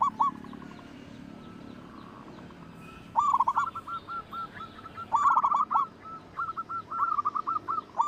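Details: Local zebra dove, a loud lure bird for making others sing: a short cooing run opens, then a quiet stretch, then from three seconds loud rippling coos followed by strings of evenly spaced single notes.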